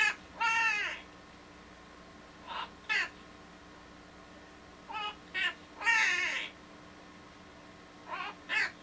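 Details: A pet monk (Quaker) parakeet sings "Walk This Way", mimicking the rock tune in short, harsh, harmonic bursts.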